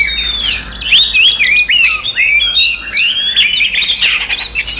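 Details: Oriental magpie-robin in full fighting song, meant to provoke rival magpie-robins: bright, varied whistles sliding up and down, packed closely with quick chirped notes and short buzzy phrases, delivered without pause.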